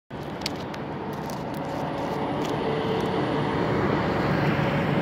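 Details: Steady roar of a passing vehicle or aircraft rises after a sudden start and holds, with faint clicks and no animal voice.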